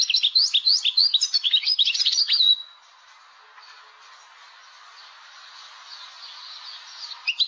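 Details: Caged Algerian European goldfinch singing a song in the style locally called laglag, used to train young birds: about two and a half seconds of rapid, high twittering with buzzy trills and chirps, then quiet background hiss.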